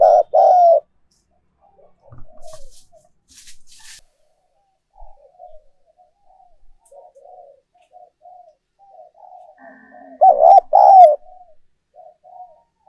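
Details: Decoy spotted dove song meant to make doves coo more: a loud coo opens, then soft, scattered murmuring coos for several seconds, and another loud double coo near the end.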